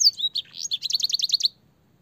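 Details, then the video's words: Canary master song for training young canaries, filled with blackthroat and sanger phrases: a clear high whistled opening, then a fast run of about ten repeated chirping notes that stops abruptly. "burung kenari gacor panjang full isian blackthroat dan sanger suara jernih masteran kenari paud"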